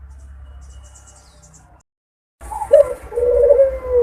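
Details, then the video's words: Barbary dove mating coo, played as a lure to bring doves quickly into breeding condition: after a short silence, a loud low coo with a sharp opening note, then a long, level, slightly falling purr. "puter kawin || pancingan burung puter agar cepat birahi"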